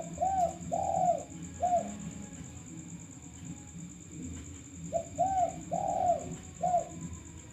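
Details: Male spotted dove, recorded as a lure call, giving a phrase of three coos, a pause of about three seconds, then four mellow hollow coos, the middle ones longest, with a steady high electronic whine behind.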